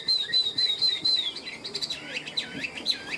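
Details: Tame caged Chinese hwamei sings a string of evenly repeated high clear whistles, then switches to looping, swooping slurred notes.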